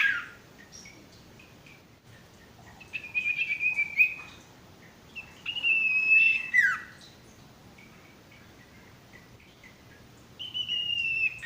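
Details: Sparse song of a male sirtu, used as a masteran for newly caught or stressed birds: three well-separated phrases of thin high whistles, some level and some sliding down, with long quiet gaps.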